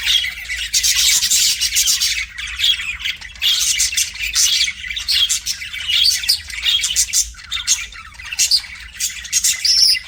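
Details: Pet budgerigar singing to a mirror: a continuous, busy warble of rapid chirps, clicks and scratchy notes, dense and high-pitched, with brief pauses between bursts.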